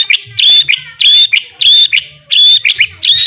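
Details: White-rumped shama song used to train other birds: loud clustered phrases of high piercing notes repeated roughly every second.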